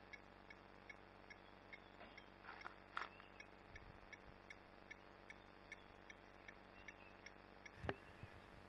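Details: Blacksmith lapwing giving an alarm call at people walking in the bush, Greater Kruger, South Africa, near a dam at midday in 2017: faint, sharp metallic tinks about twice a second, with close rustles and footfalls.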